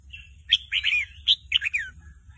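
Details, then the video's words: Red-whiskered bulbul youngster, caged, learning to sing and answering a played recording; a single chattering phrase of sharp whistled chirps and slurred warbles, several notes in quick succession over about one and a half seconds. "ลูกนกกรงหัวจุกหัดร้องเบิ้ล ยังไม่เป็นเพลง"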